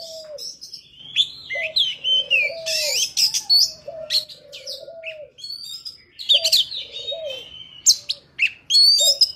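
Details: An Oriental magpie-robin pours out its wild forest song, a recording meant for trapping and voice training of young birds: dense high warbles and slurred whistles, over repeated lower, softer whistled notes.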